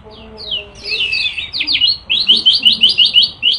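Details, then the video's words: Yellow-bellied prinia song, 'isian nembak sejalur' style: faint low tones give way to high sweeping whistled notes, then a rapid, steady run of sharp repeated chirps, roughly three per second. "KECIAL KUNING GACOR ISIAN NEMBAK SEJALUR"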